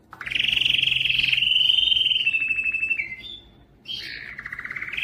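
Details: Canary song for prompting males to sing: a rising start opens into a long, even rolling trill that sinks gradually, a brief gap, then a lower, throbbing trill resumes.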